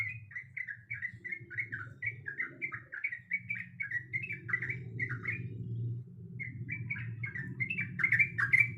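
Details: Sooty-headed bulbul female calling to the male while in heat, a fast stream of clipped, chirpy warbled notes that breaks off briefly before resuming, with a low background rumble.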